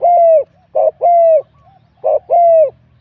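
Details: Wild-caught spotted dove in a singing competition, voice style described as medium to large: a short burred note followed by a long, smooth, slightly falling coo, the pair repeated twice with a pause between.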